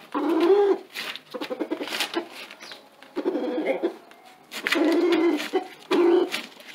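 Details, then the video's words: Rooster crooning in low, throaty bursts about a second long, repeated several times, calling a hen to lay an egg on top of a tarp, with rustling and scratching between calls. "Rooster Calls Hen to Lay an Egg"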